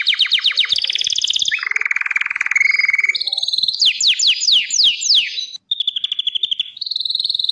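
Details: Gloster canary in full song, moving from rapid repeated chirps to a low rolling buzzy trill, then a series of falling whistled sweeps and steady high trills.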